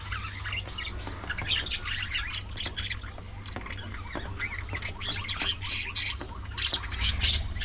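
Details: Several budgies active at early morning feeding time, dense overlapping chirps, squawks and warbles without pause, with a constant low hum in the background.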